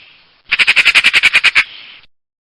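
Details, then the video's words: A single burst of Eurasian magpie chatter: about eleven harsh, clacking notes in quick, even succession, lasting roughly one second. "Saksağan Kuşu Sesi"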